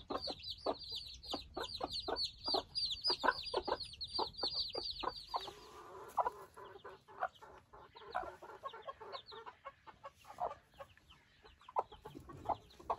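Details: Newly hatched Silkie chicks on their first outing, in a group of 24 chicks with four hens: loud, busy high-pitched falling peeps for about five seconds, then quieter scattered cheeps over soft rustling.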